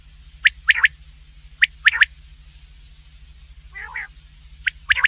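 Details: Black francolin calling: short harsh notes in tight clusters of two or three, each cluster repeated roughly every 1.2 seconds, with a lower chattering burst midway, all over a steady low mechanical hum.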